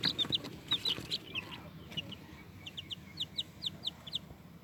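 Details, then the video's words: Scattered high, squeaky chick peeps, short falling notes in loose clusters, heard over a steady background hiss. "cute chicks and squeaky squeaky sounds"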